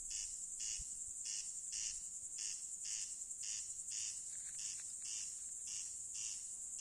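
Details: Rasping corn crake call in the night, with dry grating bursts coming regularly about every half second, set against a constant high-pitched insect drone.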